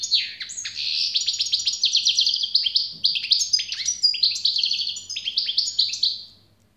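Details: Long, generous European goldfinch song phrase: rapid rattling trills lead into varied bright twitters and high, thin tinkling notes, fading away at the end, with a faint low hum beneath.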